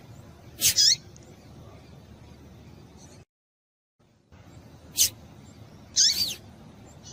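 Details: Female double-collared seedeater calls meant to make males sing; sharp high chirps and a slurred descending note in pairs, separated by a brief silent gap, over low background hiss.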